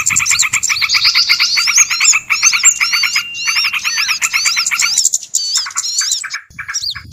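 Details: Small-bird lure sound: busy overlapping high warbled and looping whistles over a steady fast pulsed chatter, breaking off near five seconds into a few scattered high chirps.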